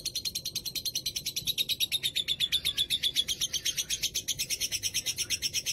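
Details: Lovebird from Rembang in ngekek style, praised for its very long duration. An unbroken, shrill, buzzy chatter of fast regular pulses, with a brief brighter whistled streak midway and no pause.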